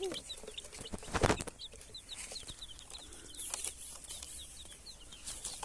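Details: Baby chicks, colored chicks, crying and chirping; short high peeps repeated several times a second over steady rustling, with a loud handling thump near the start and scattered clicks.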